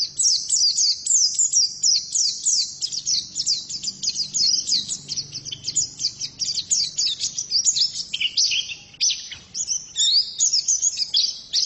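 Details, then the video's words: Long, fast, high-pitched warble by a female white-eye: dense strings of thin downslurred chips, later shifting into more varied whistled phrases dropping somewhat lower. "Pleci betina sangat bagus suaranya"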